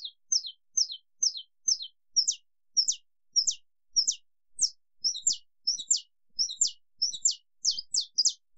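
A saffron finch sings a long run of sharp, high, snapping chirps, about two each second, growing busier and more varied as the phrase goes on.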